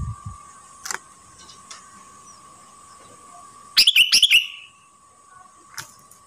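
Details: Sooty-headed bulbul in moult, kept at home and singing vigorously: a rapid cluster of five or six bright, bubbling whistled notes midway, with a steady faint tone in the background.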